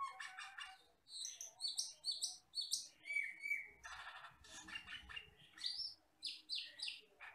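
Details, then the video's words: Asian glossy starling, a wild forest bird, in a tutor song recording: rapid clusters of high metallic chirps and squeaks, a brief clear whistled note, and more chattering bursts at a steady quick pace. "MASTERAN BURUNG HUTAN CAMPERLING (CUCAK KELING)"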